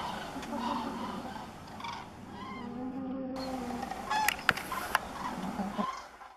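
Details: A flock of common cranes in flight during autumn migration in the morning, heading to cornfields, gives loud, rolling 'grus' trumpeting calls in uneven bursts over a steady rush of wind, with a few sharp clicks near the end.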